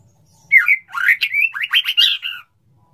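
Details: Male white-rumped shama (murai batu) courting a female and wanting to mate: a short burst of varied chattering, slurred whistles lasting about two seconds.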